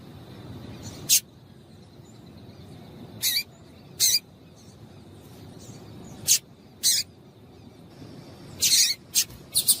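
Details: Female double-collared seedeater giving calls meant to stimulate a male: short high chirps spaced irregularly across ten seconds, with a quick cluster of three near the end and a faint steady tone underneath.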